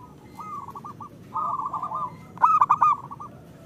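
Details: Local zebra dove cooing; soft rolling notes build into a loud, rapid stuttered burst of coos near the end.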